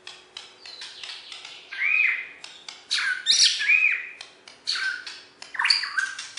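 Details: Borneo white-rumped shama, a contest champion kept in West Kalimantan, Indonesia, delivers varied song bursts of slurred whistles and harsh chattering notes, separated by short clicks.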